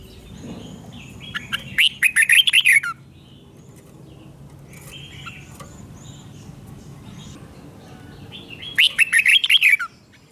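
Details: Doubled song of a red-whiskered bulbul, used for tutoring young birds to learn the song: a rapid run of bright, wavering, chirpy notes, a long quiet gap with soft single notes, then a second similar burst near the end.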